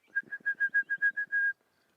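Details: An Orange-breasted Bushshrike (Chlorophoneus sulfureopectus), seen hopping in bush on a morning safari drive, 28 August 2016, calls: about nine rapid, even, mellow whistled notes on one pitch, the last held longer, over a faint low rumble.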